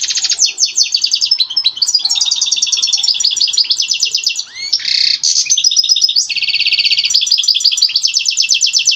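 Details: Mating song of a European goldfinch, given to stimulate a breeding-ready female: continuous bright, fast twittering with liquid trills and chattering runs, one short buzzy burst midway, then more rapid repeated notes.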